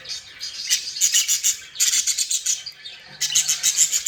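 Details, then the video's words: Playful, happy budgerigars deliver three loud bursts of rapid, rhythmic chirping chatter, each several notes long, separated by brief softer pauses. "Happy & Playing Beautiful Budgies sounds"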